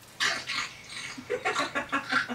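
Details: A female pet Severe macaw playing on the back of a couch indoors gives two harsh, raspy squawks, then a quick run of six short, gruff, grunting notes about a fifth of a second apart, in a quiet room.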